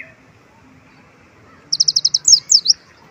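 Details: Olive-backed sunbird in active singing, with a song filled with white-eye phrases: after about 1.7 s of near silence comes a quick run of six short, high, even chirps, then three sharp downslurred notes.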